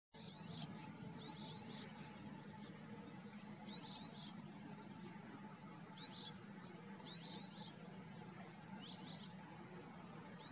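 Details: Syrian serin at Tel Kiryot, Israel, on 17 March 2022: short, high, buzzy trilled bursts of about half a second, repeated irregularly about seven times over ten seconds, over a steady low background hum.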